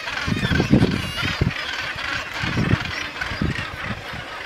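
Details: Common murres in a colony on Helgoland, with some razorbills among them: low, harsh, growling croaks in uneven bursts, several in a few seconds, over a steady hiss of wind or surf.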